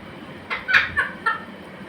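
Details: Grey parrot giving a short series of harsh, squawky notes, four quick calls within a second, the second loudest, over a soft background hiss.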